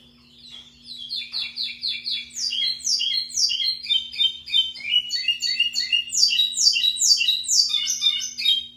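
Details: Lined seedeater, locally called pico plat, in full song. It starts with soft chips, then builds into long runs of bright, down-slurred buzzy notes, roughly two per second, mixed with twittering, with a faint constant hum behind.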